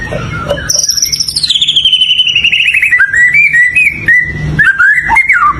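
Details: White-rumped shama singing: a clear, loud whistled phrase that starts high, slides down in steps into a rapid warbling trill, then ends in short, rising and falling whistled notes.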